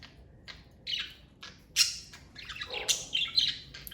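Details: Pet parakeets giving short buzzy chirps and squawks, a loud sharp note near two seconds, then a run of quick warbled chatter.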